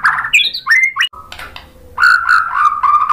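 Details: White-rumped shama singing to trigger other shamas into song: scratchy, squawky rising notes and quick chatter, a brief pause with a low buzz, then a loud sustained warbling phrase with harsh overtones.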